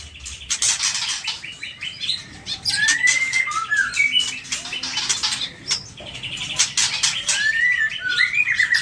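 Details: White-rumped shama, a kept songbird tested for steadiness, sings varied whistled phrases with rising and falling slurred notes around the middle range, mixed with rapid clicking and chattering bursts and much harsh broadband rattling throughout.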